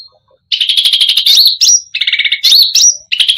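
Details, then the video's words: Cucak rante singing a full, energetic song meant to provoke other birds: fast buzzy rattling trills around a steady high pitch, broken by sharp upslurred whistles and lower doubled notes, after a brief quiet start. "Cucak Rante full isian gacor || bikin emosi burung lain"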